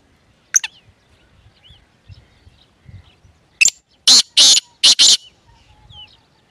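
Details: Grey francolin, known locally as teetar, calling: after quiet rustling, a short sharp note then four loud, harsh, buzzy bursts in quick succession, each about a quarter second long, with faint chirps in the background.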